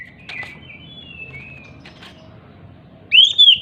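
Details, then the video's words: Oriental magpie-robin, agitated and leaping, singing to provoke magpie-robins that have gone silent. Quiet, level whistles and a few clicks precede a sudden loud, rising and falling whistled phrase at the close. "Pancingan Kacer MACET BUNYI, dengan Kacer EMOSI LONCAT INI, dijamin NYAUT GACOR KACERNYA"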